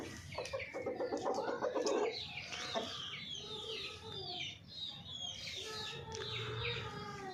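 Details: Golden Misri hen with a loud, nasal, drawn-out call in the first two seconds, then softer clucks beneath steady chirping from other small birds.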